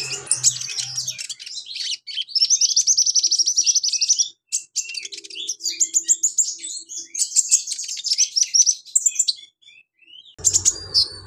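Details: A sunbird (konin) sings a fast, very high, nearly unbroken twitter of thin, varied chips and trills, with brief pauses and a low hum near the end.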